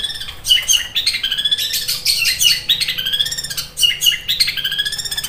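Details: Sharp sparrow imitation by a Long-tailed Shrike in fighting mode, like a sewing machine: rapid mechanical rattles and harsh chirps, repeated in tight bursts with short pauses between phrases.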